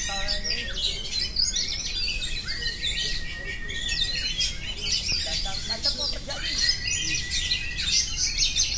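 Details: Long stretch of unbroken oriental magpie-robin singing: varied high whistles, a held steady tone, fast chattering runs and dense overlapping phrases throughout.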